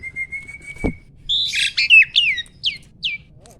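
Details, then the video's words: Adult male Asian pied starling in breeding condition, kept caged, sings a steady thin whistle that breaks off after a sharp knock, then bursts into harsh scratchy notes and a run of three falling, squeaky slurs. "BURUNG JALAK GACOR MOMPA-MOMPA!!! JANTAN TULEN."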